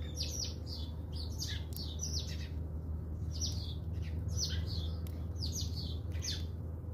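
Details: Several house sparrows at a South African feeder keep up a busy chatter of bright, clipped chirps in rapid irregular clusters throughout, over a steady low-pitched background rumble.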